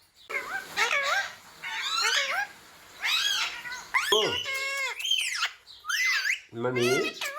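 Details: Indoors, a talking ringneck parrot repeats familiar words such as "mummy": a series of rising and dipping harmonic syllables, often in pairs, separated by short silences, ending in a lower, steadier voiced note.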